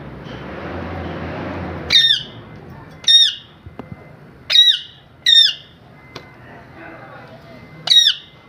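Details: After a burst of broad noise, a parrot gives six sharp, harsh squawks at irregular intervals. Faint clicks and a steady thin tone sound in between.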